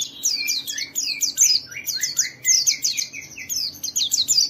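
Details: Gacor white-eye used to trigger other white-eyes into song. Rapid, high, scratchy twitters and descending slurred notes delivered in tight repeated clusters throughout.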